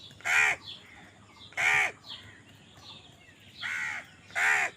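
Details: Four hoarse caws from crows competing for food, spaced a second or more apart, with faint bird calls in the gaps.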